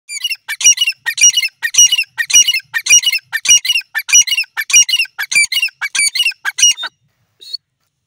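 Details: Grey francolin, known locally as teetar, giving a rapid run of harsh, high squawking notes, almost two per second for about seven seconds, then a single short note after a pause; no other sounds intrude.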